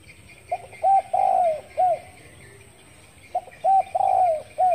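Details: Morning calling of a spotted dove, 10 February 2021: two repeated phrases, each of short clipped coos around a longer, slightly falling coo, about two and a half seconds apart, with a faint steady high hiss behind.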